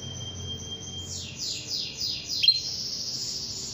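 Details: Female canary calling to a male: a faint thin held tone, then a series of soft, buzzy, descending high notes repeated about every quarter second, over a low background hiss.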